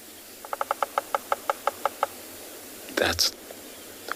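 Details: Bearded woodpecker (Chloropicus namaquus) on a morning safari in a South African game reserve, 6 March 2021, drums about eleven sharp wooden knocks over 1.5 seconds, slowing slightly, then a brief human voice; drumming is far-carrying advertising communication.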